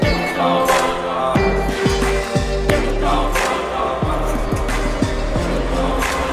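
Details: Loud instrumental music with voices singing over a steady beat, and no animal voices heard.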